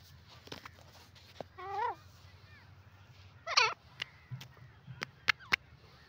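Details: In a forest, a grey francolin gives two harsh, overtone-rich calls. The second, near the middle, is louder and more ringing. Crisp clicking sounds and a steady low hum fill the gaps.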